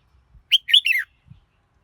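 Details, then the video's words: A red-whiskered bulbul gives one quick three-part warbled phrase, fluty and rolling, lasting about half a second, followed by a faint low knock. "Chào Mào Hót Hay Nhất"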